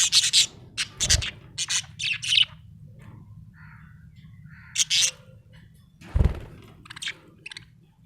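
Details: Happy pet budgerigar chirping: bursts of short, bright, buzzy chirps and warbles in quick clusters, separated by pauses, over a low steady background hum and a couple of soft thumps.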